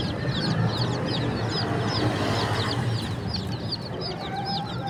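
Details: Many chicks at a bird market in Pakistan peeping continuously, short high arched chirps several per second, masked partly by heavy low background rumble and chatter.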